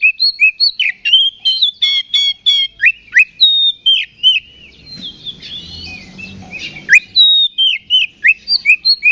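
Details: Oriental magpie-robin (kacer) singing in the loud fighting ngeplong style, used as a lure to rouse other magpie-robins: varied whistled notes and rising slurs, fast repeated chirp runs, and a burst of low rustling midway.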